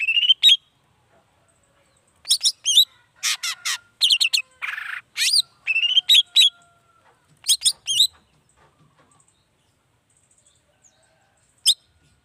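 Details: Long-tailed shrike in full song, a lure meant to make other shrikes answer and call back; scattered groups of sharp, varied chirps and upslurred whistles, one harsh buzzy note midway, then long quiet gaps with a lone final note.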